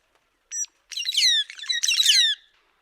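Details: White-headed buffalo weaver calling: a short high note, then two bursts of harsh, chattering, descending notes packed with overtones, each lasting about half a second, with no other sounds.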